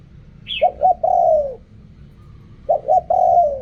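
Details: Spotted dove in Thailand cooing in the riak kham, khu kham, ok rong styles: two short hollow coos then a longer falling coo, the phrase given twice, opened by one brief high squeak.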